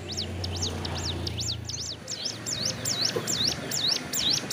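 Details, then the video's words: Sun-basking hill prinia in wing moult beside a road, pouring out a rapid, continuous string of high zigzag notes, a little over two per second, over a low rumble. "suara burung ciblek gunung"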